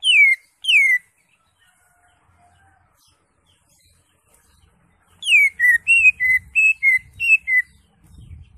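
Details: Greater green leafbird (cucak hijau) ngentrok song: two loud falling whistles, a few seconds of near silence, then a quick run of eight clear whistled notes that rise and fall. Faint low rumbling follows.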